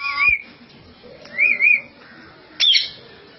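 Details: Captive talking common hill myna gives three brief, high, slurred whistled phrases, each under half a second, imitating human words such as "I love you"; faint voices murmur in the background.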